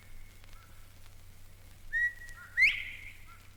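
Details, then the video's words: Eastern Meadowlark, a dweller of grassy fringes at Mountain Lake Sanctuary, Lake Wales, Florida, gives its far-reaching territorial call: two clear, slurred whistles, the second louder and sweeping down, against a faint steady hum. "His far-reaching call is heard throughout his broad territory."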